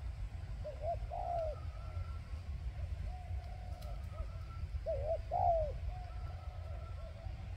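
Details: Spotted dove kept as a decoy to draw in wild birds, cooing in phrases of a doubled short note followed by a drawn-out falling coo, repeated three times, with softer coos between and constant low rumble underneath.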